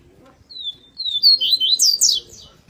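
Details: Double-collared seedeater performing its tui-tui song: a rapid phrase of high, clear whistles, first slurring downward, then rising into faster, steeper, brighter notes before stopping abruptly; faint low background noise.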